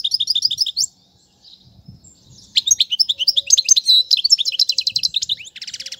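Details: European goldfinch song, a training recording for teaching young birds: rapid twittering of high notes and trills, a brief pause near one second, then a denser burst of buzzy rattles and liquid twitters.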